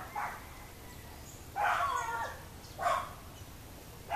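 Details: Boat-billed flycatcher in Miraflores, Barinitas, Barinas, Venezuela, giving three grating nasal calls spaced more than a second apart, the middle one longest and rasping, with quiet hiss between them.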